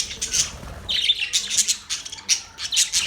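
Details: Pet Budgerigar, an Australian parrot, chirping: dense bursts of high, scratchy chatter and squawky notes coming in quick clusters about every half second, with faint low hum underneath.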